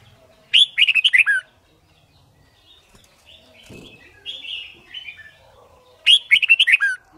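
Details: White-cheeked red-whiskered bulbul singing in competition style as a training aid: two loud bursts of rapid, tumbling whistles dropping in pitch, with soft warbled phrases and a brief low thump between them.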